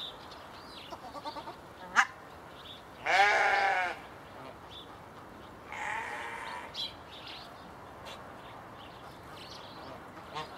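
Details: Swan goose, one of a pair just moved into an open aviary, gives a loud nasal honk of about a second, then a fainter second honk a few seconds later, with scattered small chirps around them.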